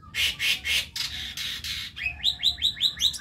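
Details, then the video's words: A young white-eyed Javan myna learning its song gives three harsh, broad rasping notes, a scratchy buzzy stretch, then a fast run of six bright, chattering upslurred notes. "Jalak Kebo Mata Putih Muda (BELAJAR) Gacor"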